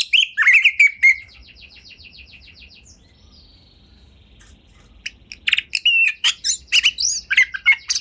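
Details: White-rumped shama song used to prompt other shamas: an opening whistled phrase and rapid trill, a long quiet gap with a faint high note, then a renewed run of sharp chirps and whistles.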